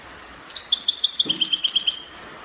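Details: European goldfinch, Spanish copia style, Morocco, delivering a rapid run of high, tinkling, evenly spaced notes lasting about one and a half seconds over soft hiss.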